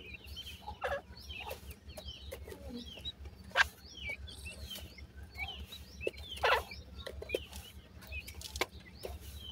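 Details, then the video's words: Several grey francolin chicks from India giving many short, high, curved peeps, often in quick pairs or small bursts. Sharp clicks and knocks sound in between, all over a low background hum. "grey pheasants chicks sweet awaz,indian gora teetar chicks"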